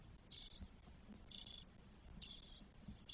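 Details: Spotless starling nestlings, four chicks at day 12 in a nest in Spain, 1 June 2022: harsh raspy hissing calls, each about half a second long, given three to four times over a low background rumble.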